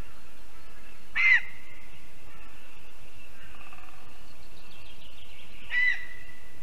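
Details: Lesser spotted eagle at a spruce-tree nest in Zemgale, Latvia: a breeding female just returned from Africa, at 6 PM on 11 April 2022. Two brief, high yelps about four seconds apart over quiet background hiss.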